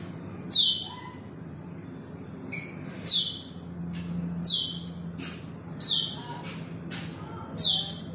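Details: Asian glossy starling calling out to a rival bird, giving loud, high, sharp metallic chip notes, about five strong ones spaced one to one and a half seconds apart, with fainter chips between and a low hum behind.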